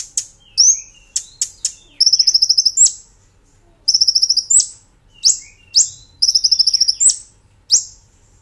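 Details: Brown-throated sunbird in a master recording for training cage birds, nembak ngerol style: long fast rattling trills of high notes alternating with loud piercing upslurred whistles.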